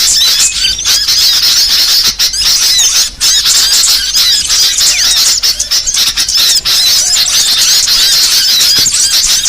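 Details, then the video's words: Burcil song variations recorded as a master track for training songbirds: a dense, continuous stream of high, thin twittering and squeaky chirps, with fast rising and falling notes packed tightly together and barely pausing. "MASTERAN BURCIL VARIASI"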